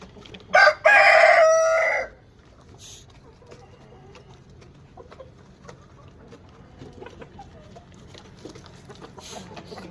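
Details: Male Rhode Island Red or Black Australorp chicken crowing: a short harsh opening note, then a drawn-out, strained crow of about a second, followed by a quiet background with faint distant sounds.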